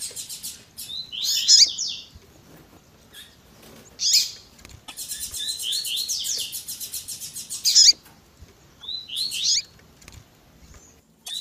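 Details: Female double-collared seedeater call, edited to stimulate and excite males to sing: sharp high chirps in short bursts near 1.5, 4, 8 and 9.5 seconds, with a longer run of dense twittering in between.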